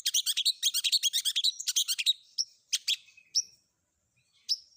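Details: Long-tailed shrike, combination filler song for prompting other shrikes to answer. Rapid harsh chattering notes repeat quickly for two seconds, then give way to scattered sharp chips and a thin rising whistle.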